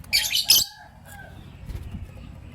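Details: Morning chirping from lovebirds, a green Personata and a pastel white: a loud, harsh, buzzy burst of shrill high notes lasting about half a second, followed by a fainter short chirp, with low rumbling background.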